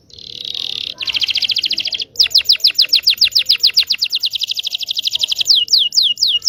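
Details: Local Indonesian canary song used as a tutor to teach young canaries to sing: a steady buzzy trill, then long rapid series of high descending whistled notes, several per second, ending in slower sweeping notes.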